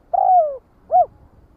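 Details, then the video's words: Spotted dove calling its flock: one long cooing note that glides downward, then a short rounded coo after a brief pause. "Tiếng chim Cu Đất Gọi Bầy"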